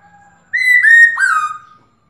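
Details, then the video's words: Black-throated laughingthrush female 'ro' call, meant to rouse a male into song: a single ringing phrase of three downward-slurred whistles, joined together and fading out after about a second. "Khướu mái ro kích trống căng lửa/Tiếng khướu mái ro ro kích bổi cực nhạy/Kích là hót"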